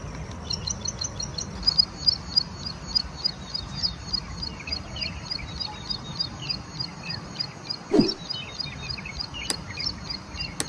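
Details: Plain prinia in the wild pours out a lively run of high, clipped notes, rapidly repeated, with a brief knock and a couple of sharp clicks in the background.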